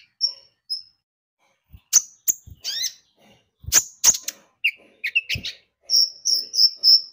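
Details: Lure recording of a Javan white-eye: sparse high whistled notes, then clusters of sharp chirps and downward sweeps, finishing with a run of repeated high piping notes about four a second.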